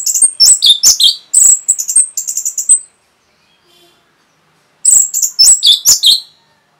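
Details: Rapid song of an Orange-headed thrush, used to provoke other birds: a quick run of high, piercing, slurred notes for about three seconds, a pause, then another fast, jumbled burst of sharp whistles.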